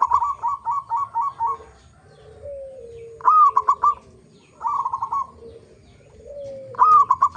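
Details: Local zebra dove used as a singing lure: a stuttering string of short coos, then a low drawn-out descending note, followed by further rolling coo phrases and another low slurred note.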